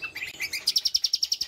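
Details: A cucak kombo, a songbird noted for varied song and mimicry, gives a few varied whistled notes, then a fast, even run of about ten high, sharp chips, roughly eight a second.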